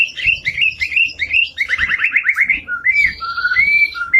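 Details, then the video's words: White-rumped shama in full, energetic song: fast rippling trills and chattering notes, then clear rising and falling whistled phrases with a buzzy upper tone, over faint low thumps. "KICAU MURAI BATU GACOR SAMPAI NDILUK-NDILUK"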